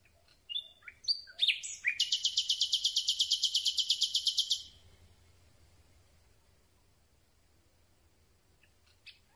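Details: Close-range night recording of a Common Nightingale: a few rising whistles lead into a long, fast, mechanical rattle of identical notes lasting about three seconds, then silence apart from faint rustling.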